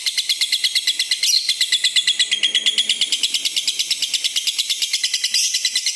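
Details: Red-eyed lutino lovebird delivering its long ngekek trill, a fast, even series of harsh high chirping pulses, roughly three per second in clusters, sustained without pause. The recording is for stimulating and tutoring other lovebirds.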